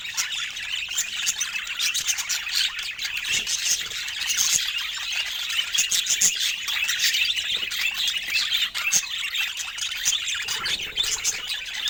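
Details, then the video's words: Long run of pet budgie chatter, an unbroken mix of scratchy warbles, squeaks and short chirps, fairly even in loudness from start to finish. "Top Cute Budgie Love Moments with Funny Sweet Sounds"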